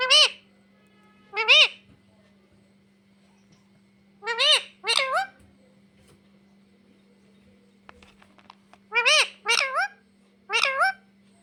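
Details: Parrot repeating "mummy papa" in clear harmonic syllables, mostly in pairs, each bending up then down, spaced a few seconds apart over a steady low hum.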